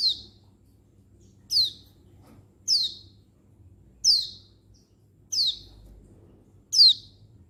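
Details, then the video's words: Female Oriental white-eye calling to males, 19/11/22: six bright, high chirps falling sharply in pitch, repeated about every one to one and a half seconds over a quiet low hum. "Begini Untulan Betina Mapan Memanggil Jantan Perangsang Ngalas Burung Pleci Bahan"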